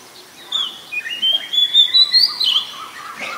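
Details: Oriental magpie-robin, a common resident, recorded in Ubon Ratchathani, Thailand, on 7 January 2021: a long, clear whistle rises gently near the start, then a run of short, varied chirped notes falls and rises against quiet background hiss.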